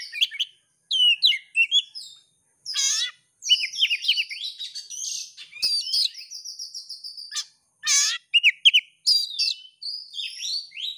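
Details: Oriental magpie-robin, a champion competition bird ready for contest, singing loudly to provoke another bird: varied rich whistles, harsh scratchy notes and rapid mimicking phrases in bursts separated by short pauses.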